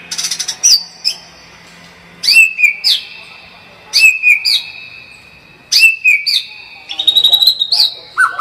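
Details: White-rumped shama in gacor tembakan song: a loud sharp whistled phrase repeated about every one and a half to two seconds, each ending in a held ringing note, the last phrases quicker.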